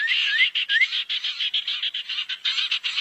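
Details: Barn owl sounds used as a lure to gather owls: harsh, hissing screech bursts repeated in quick succession, with a few short rising whistles from another bird near the start.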